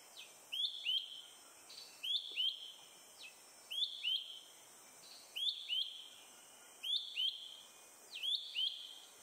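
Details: Malaysian hawk-cuckoo (Hierococcyx fugax), Selangor, Malaysia, April 2021, calling on and on from a high perch after feeding; shrill paired rising whistles, each pair repeated roughly every one and a half seconds, clear and steady.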